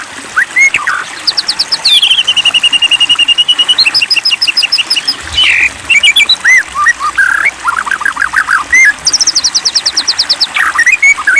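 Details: White-rumped shama provoked to sing vigorously: fast high trills of repeated notes, long rapid rattling series, looping whistles and buzzy notes mixed in a busy, varied song.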